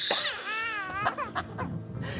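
A Black-collared Starling gives a loud, wavering wail much like a crying baby, followed by several harsh, short screeches, heard over faint room noise.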